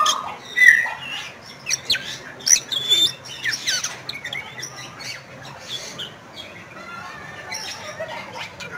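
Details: Bali myna, a medium-sized starling of west Bali's forests, endemic to Indonesia, in lively chattering song: scattered harsh squawks, sharp chips and brief whistled notes in bursts, with pauses between phrases.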